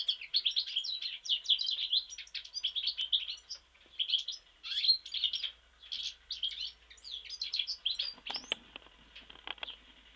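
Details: European goldfinch from Mostar singing a long, dense run of bright tinkling, twittering notes with rapid buzzy trills, almost without pause; a few soft low rustles near the end.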